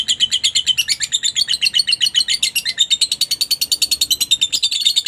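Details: Shrill, rapid lovebird chatter meant to stir silent lovebirds into answering, a steady stream of harsh high pulses around seven per second, unbroken for five seconds.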